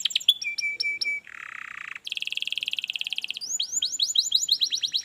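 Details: Canary song used to coax a reluctant canary to sing, shifting from short whistles and a steady held note to a buzzy roll, a rapid trill and sweeping descending notes.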